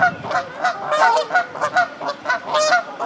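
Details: Canada geese during egg laying at a nest on the South Pond, Midhurst, West Sussex, England: dense, overlapping honks in quick succession, harsh and nasal, several per second.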